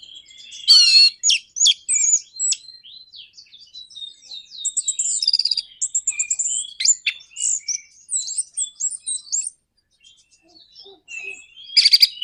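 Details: Orange-headed thrush delivering a 'nraktak konslet' lure song to provoke other birds: a long, continuous medley of sharp chatters, buzzy trills and high mimicking twitters, a brief lull, then another burst of chatter.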